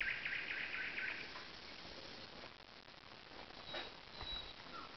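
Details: Nightingale singing by a lake among alders at Zawady Oleckie, Poland; a dense, rapid rattling burst of repeated notes in the first second, then only faint, scattered high whistles over steady background hiss.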